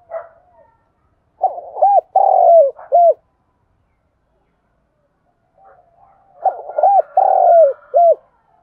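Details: A Đồng Nai spotted dove coos and calls in two phrases of soft, low, hollow coos, each a quick run of three or four rounded notes with a drawn-out middle syllable; used to stimulate other doves into cooing.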